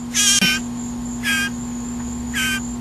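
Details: Blue jay fed by hand on tiny portions of ground beef, shrieking for more food: three loud, rasping shrieks about one second apart over a steady low electrical hum.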